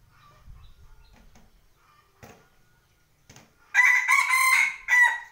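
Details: Faint scattered clicks and knocks, then a rooster at home bursts into a loud ragged crow of several segments with a brief final note.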